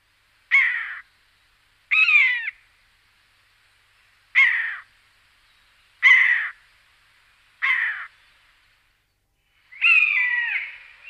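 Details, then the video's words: A common buzzard (Buteo buteo) gives six harsh, mewing, slightly down-slurred calls, each about half a second long, spaced every one to two seconds, with no other sounds. "Chamariz, Señuelo, Águia da Asa Redonda, Buteo Buteo, Ratonero Comun"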